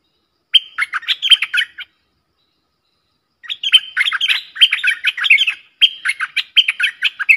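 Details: Fierce song duel between a pair of streak-eared bulbuls, 30 October 2021: a chirping burst, a pause of nearly two seconds, then a long, lively run of bubbling, slurred notes.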